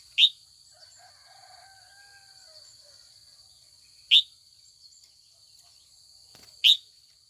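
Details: Female red-whiskered bulbul calling in the afternoon to goad old wild males into competitive song: three clipped, rising chirps several seconds apart, soft lower whistled notes between them, and a steady high hum throughout.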